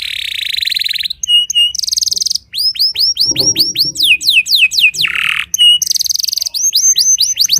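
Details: Timbrado canary in early morning song practice: buzzy rolling trill, short flat whistles, a series of curved sweeping notes, a harsh burst and renewed trills, with faint low noise underneath.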